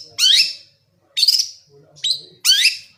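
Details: Javanese long-tailed shrike in full, clear filler-laden singing: four loud, harsh, buzzy downslurred notes, each about half a second, spaced roughly a second apart, with quiet pauses between.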